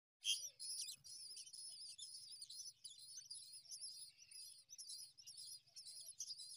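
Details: Common myna feeding newborn chicks in the morning; high, thin, wavering chirps run almost nonstop in dense overlapping bursts, with a brief low thump near the start and a faint low hum beneath.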